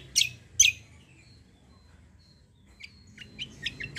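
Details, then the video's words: 'Kombo' style song of a white-eye fighter, used for tutoring other birds: two loud sharp high chirps, a pause, then softer short chirps resuming irregularly toward the end. "KECIAL KOMBO CUCAK KOMBO FIGHTER GACOOR"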